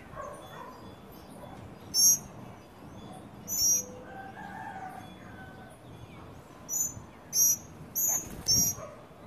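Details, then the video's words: Tropical mockingbirds, adults and young, come to eat at a feeder in Trinidad. Sparse high squeaks open the clip, then a closer run of four sharp, shrill notes follows in quick succession over a steady low rumble. "Tropical Mocking Bird Family at the Feeder"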